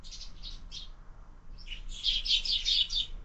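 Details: Sparrows at a window-mounted feeder at breakfast time, where birds are fed year-round. Three short high chirps, then a denser run of bright, overlapping chirps and twitters from the feeding flock. Faint low indoor hum underneath.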